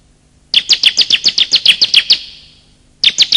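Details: Bar-winged prinia male and female calls for luring: a fast, even series of about eleven high, clipped chirps, a pause, then a second series starting.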